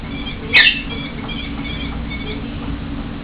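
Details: Hungry captive female common kestrel: a single sharp, high squealing note, followed by fainter thin whining calls, over a constant low indoor hum.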